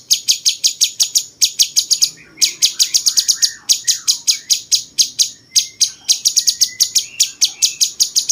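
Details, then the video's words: Bulbul called cucak cungkok, singing like cucak jenggot as tutor material for champion songbirds: continuous volleys of quick, piercing chirps in short runs, with thin whistled slurs faintly behind. "masteran paling banyak diminati burung jawara!!!cungkok rasa jenggot"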